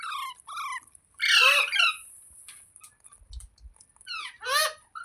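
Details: A parrot gives quick downward-slurred chirps, then a loud, rough, drawn-out squawk, soft chatter, and another harsh squawk near the end; a faint high hiss lies beneath.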